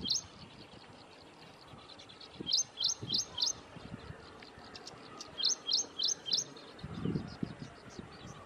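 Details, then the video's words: Ashy prinia calling at Thommana Kole Wetlands: two quick bursts of four sharp, high, rhythmic notes, about three per second, over a low outdoor rumble. "Ashy Prinia call"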